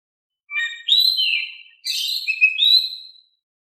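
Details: Oriental magpie-robin, calm-voiced song aimed at making quiet birds answer: a continuous run of rich whistles, downward slides and bright high notes for about three seconds.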